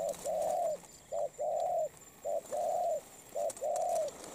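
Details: A molting wild-caught spotted dove noted for strong, continuous cooing repeats a low two-part phrase four times, one clipped note and then a long smooth coo, at a steady rhythm about once a second.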